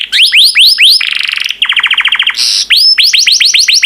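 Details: Yellow canary delivering a varied song of rising whistled slurs, a dense buzzy passage, a rapid rattling trill and a harsh burst before more quick rising notes.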